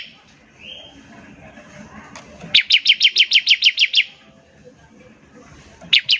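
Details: Bar-winged prinia ngebren trilling, aimed at making other prinias sing sooner. A single run of about ten loud, crisp, high repeated notes, then two more notes at the end, over a faint background whistle and murmur.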